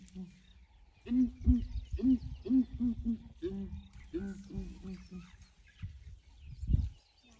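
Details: Several ground hornbills calling in the morning while a breeding herd of elephants comes to investigate, some elephants disliking the calls; deep booming hoots repeated in quick series of paired notes, low rumble and a thud near the end.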